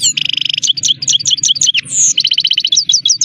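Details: Song of a Himalayan goldfinch (saira): an opening rapid stuttering trill, then sweet liquid chirps, a drawn-out buzzy note and another quick rattling trill, over a faint low hum.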